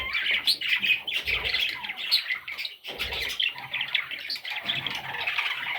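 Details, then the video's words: Baby parrot chicks calling together in a steady, dense chorus of harsh, high squawks and raspy chirps that overlap continuously, with soft low thumps now and then. "Baby Parrots – Sweet Little Chicks!"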